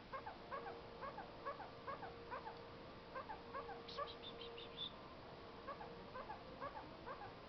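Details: A pet male kakariki (New Zealand parakeet) perched on a fridge chatters in quick, nasal chirps, about two a second, with a brief run of higher squeaks midway, over a steady low hum; owner suspects he is demanding snacks.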